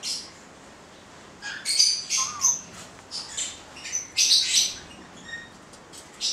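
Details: Male white-bellied caiques, two birds of subspecies xanthomeria, after a quiet start burst into harsh, high squawks and rasping shrieks in irregular clusters, with one short descending whistled note among them.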